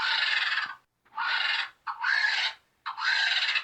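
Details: Vulture giving harsh, breathy hissing rasps, four long noisy bursts of about half a second each with short silences between, broad and unpitched.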